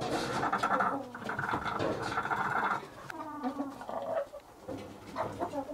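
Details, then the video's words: Domestic hens (Gallus gallus domesticus) calling while laying eggs: loud, harsh, rising squawks and cackles in overlapping bursts, with shorter clucks after a brief pause and a noisy farmyard background. "Găini la ouat."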